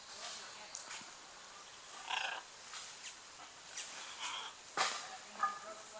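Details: Scarlet macaws in courtship on the coast at Playa Blanca, La Palma, Costa Rica's Osa Peninsula: a series of short, raspy, moderately loud squawks at irregular intervals of about a second.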